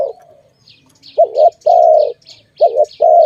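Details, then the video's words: In a bird-trapping setting, a dove coos in paired notes, a quick quavering one then a long even one, repeated twice, while small birds chirp in brief high bursts. "Sound of good dove for letting altogether"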